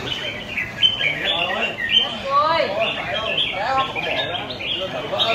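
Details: Four captive red-whiskered bulbuls sing over each other in the final of a song competition, giving bright, bubbly whistled phrases that rise and fall quickly, with faint human voices behind.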